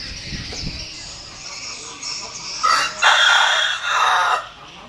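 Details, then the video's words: Rooster giving a loud, raspy crow in several strained, drawn-out bursts, after quieter murmuring sounds at the start. "Tiếng Gà Gáy Hay Nhất 2021"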